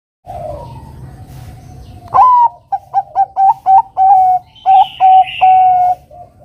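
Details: Bangkok-type zebra dove singing actively, used to lure a rival into song: a rising first coo, then five short clipped notes and a long level final coo. A higher buzzy bird call overlaps near the end.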